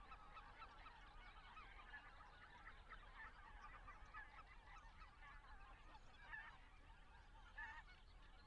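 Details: A flock of greater white-fronted geese, recorded in flight over Estonia while migrating north to Arctic breeding grounds, gives a steady clamour of high, yelping, laughing calls that overlap throughout, over a low rumble of wind.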